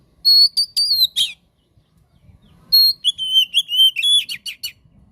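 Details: Oriental magpie-robin (kacer) singing gacor as a masteran and pancingan for silent kacer: clear whistled notes ending in a rasp, a short pause, then a longer fast string of varied whistles and sharp chips.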